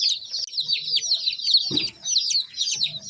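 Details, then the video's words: Baby chicks chirp rapidly, sharp high peeps that slide downward and overlap, with a short burst of low rustling noise just past halfway. "Tint Baby MURGI Chicks are Chirping Sounds"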